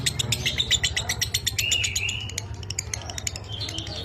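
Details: 'Minor kering' lovebird singing for a master recording aimed at other pet lovebirds and the 'dobelan' style: quick, sharp chirps about four per second, broken by a short rising whistled note, low hum underneath.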